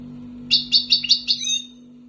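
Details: European goldfinch of wild origin, two years in keeping, Algeria, utters five evenly spaced bright, ringing notes about a fifth of a second apart, the last trailing into a buzzy trill, over a faint hum.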